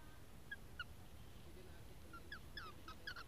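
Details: A black oriole being fed by its keeper gives short, nasal, down-slurred call notes, a few spaced singles and then a quicker cluster at the end, over a steady low rumble.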